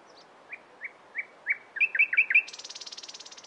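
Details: Nightingale song phrase: spaced rising notes that speed up into quick paired chirps, then a fast, high, buzzy trill.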